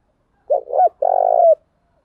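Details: Spotted dove cooing used as a lure for other doves: one clean phrase of two quick low coos and a drawn-out, softly pulsing coo ending in a gentle downward slide; nothing else audible.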